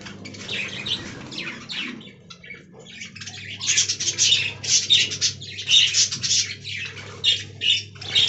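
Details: Aviary budgerigars chatter softly at first, then burst into loud, buzzy, warbled twittering in clustered pulses during the second half, with a low background hum.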